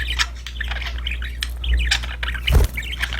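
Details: Happy budgerigars chattering during play: dense, rapid twittering with a few sharper squawks, interrupted by low thumping knocks.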